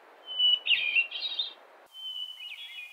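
Hermit Thrush song: a long, pure whistled note breaks into a flutey, echoing flourish, then a second phrase starts on a different pitch. Only a faint hiss underneath.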